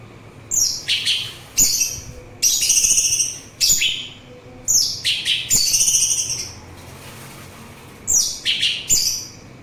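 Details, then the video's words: Song of an orange-headed thrush, used to calm listeners and attract birds: loud clusters of sweet, slurred high notes and trills, delivered in rapid groups of two to four phrases with brief gaps between, over a low background hum. "Suara Anis Merah"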